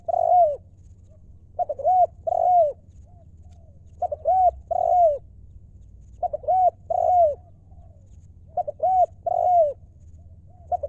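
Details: Spotted dove repeating its 'lio'-style coo phrase about every two and a half seconds. Each phrase is a pair of quick soft notes followed by two drawn-out, hollow, bowed coos. The bird is heard close against a quiet hum.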